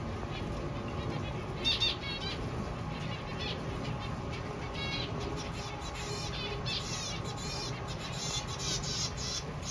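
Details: Newly hatched zebra finch chicks give harsh, raspy begging calls in scattered bursts, loudest toward the end, over a steady low rumble and some wing flutters.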